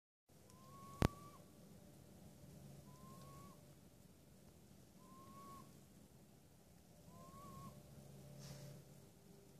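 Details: A northern saw-whet owl in Delafield, Wisconsin gives four short, mid-pitched whistled notes that slur slightly upward, each about two seconds apart, over a low engine-like rumble and one sharp click.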